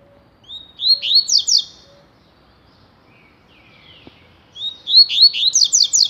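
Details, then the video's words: Double-collared seedeater singing its tui tui style twice, separated by a quiet gap: each phrase opens with a whistle and accelerates into a burst of sharp, falling, repeated strokes. "COLEIRO TUI TUI"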